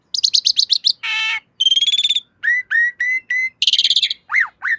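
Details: Javan pied starling song for training cage birds: a fast rattle of high notes, a harsh nasal burst, a buzzy held whistle, then repeated downslurred whistles and a loud buzzy burst.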